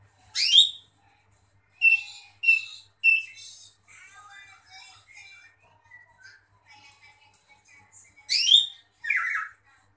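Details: Female greater green leafbird singing: loud, harsh, rasping bursts with sharp descending whistles, separated by softer, varied warbled and whistled notes, ending in two more strident rasping phrases.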